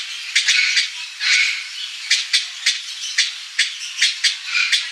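Blue-bellied parrot giving harsh, grating squawks in quick irregular bursts, several each second with a few longer rasping notes, over a steady background hiss.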